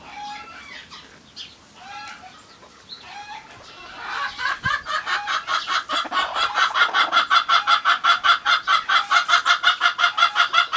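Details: A Cochin hen in Normandy, France, greets her breakfast in the morning with quick, evenly repeated clucks, nearly three a second, growing steadily louder, after softer murmuring chatter from other hens.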